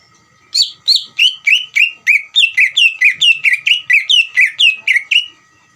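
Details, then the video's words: Greater green leafbird delivering lure song to provoke a reply from another leafbird: an unbroken series of about eighteen loud whistled notes, each dipping then rising slightly, evenly spaced about three per second. "PANCINGAN CUCAK IJO GACOR UNTUK CUCAK IJO BAHAN BIAR EMOSI DAN LANGSUNG NYAUT"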